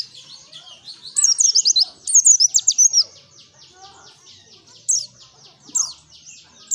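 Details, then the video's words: White-eye (pleci) singing as a lure: two busy runs of high, sharp, descending twitters, then scattered single chirps over a continuous soft high buzzing background. "Pancingan PLECI GACOR Ngalas N3mbak"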